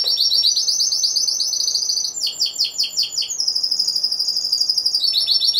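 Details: Individually entered Timbrado Español canary singing at a November 2015 song contest and show. It gives continuous high, fast-pulsed rolls, shifting abruptly to a lower, slower pulsed tour near two seconds and back to a sustained high trill.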